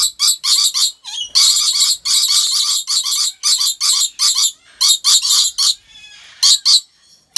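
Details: Near-continuous harsh screeching from rainbow lorikeets at Taman Satwa Gurun Putih Lestari, Aceh, Indonesia: rapid grating bursts run together, then thin out into a softer stretch before two last sharp cries.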